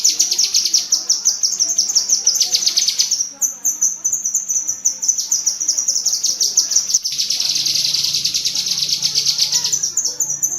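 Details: Long tembakan cerecetan sequence of a cucak kinoi bulbul for training pet birds, with fast high chattering runs broken by a short quieter stretch, then a renewed dense rattle and a low hum near the end.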